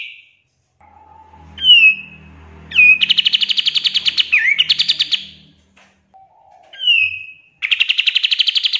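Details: Energetic pied triller song used for tutoring songbirds: a low whistle, a falling slurred note, then a fast trill of pulsed notes, with a repeat of whistle and trill afterwards and a faint low hum underneath.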